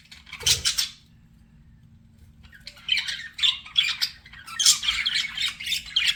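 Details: Budgies flirting: one loud burst of harsh chatter, then nearly two seconds of quiet before rapid scratchy chirps and squawky warbles resume and build.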